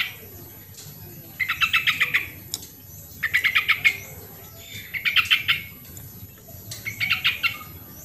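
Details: Yellow-vented bulbul, an original recording for coaxing quiet birds into song: four short chattering phrases of fast, even notes, spaced roughly every one and a half to two seconds.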